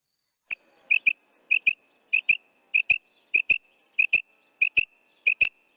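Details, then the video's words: Female quail calling to draw in males for hunting: crisp, high double notes repeated steadily, roughly one pair every 0.6 seconds, about nine pairs in a row over a quiet background. "Female Quail Sound / Hunt male quail by the sound of female quail / Bedana Ovozi"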